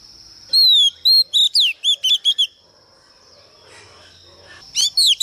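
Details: Lure female Oriental magpie-robin singing to stir up males: clear descending whistled slurs and quick bright notes, then a quiet pause with soft background rustle before another burst of sharp whistles.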